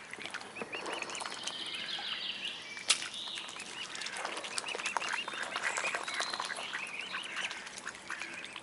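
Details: Mute swan cygnets calling: a busy stream of short, high, chirping peeps that overlap and repeat throughout, with a brief sharp knock near the middle.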